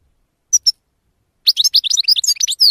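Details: European goldfinch in song: two brief high chirps, a pause, then a rapid tumbling run of twittering, liquid notes and trills from about 1.5 seconds onward.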